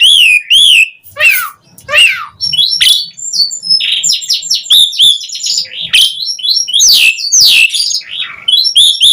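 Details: Asian pied starling singing richly to lure other starlings into song: arched whistles and descending slurs leading into a dense, fast jumble of chattering, squeaky and whistled notes.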